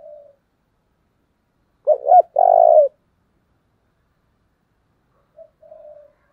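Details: Spotted dove serving as a hunting decoy: after a pause, two quick hooked notes lead into one long, loud, buzzing coo, with gentle coos answering near the end.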